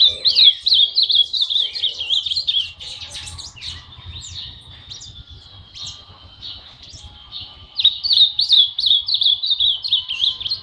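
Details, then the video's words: Monjita just starting to sing: fast runs of high, sweet chattering trills at the start and end, with a quieter stretch of thin separate notes in between. "monjita empezando a cantar"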